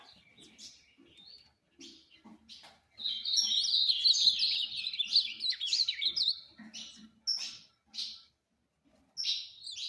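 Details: Ultramarine grosbeak: sparse chips at first, then a loud rapid warbling phrase of sweeping whistles lasting about four seconds, followed by short separate notes.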